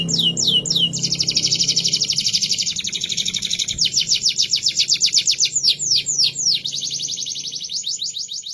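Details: Canary song meant for training other birds: a continuous stream of high, rapid trills, with slurred repeated notes giving way to long buzzing rolls, over a faint low hum.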